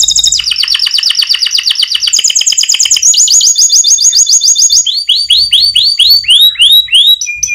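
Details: White canary, used as a lure to draw responses from other birds, singing a loud, rapid song of high trills and rolls that shift into new repeated phrases every second or two, ending in quick rising sweeps.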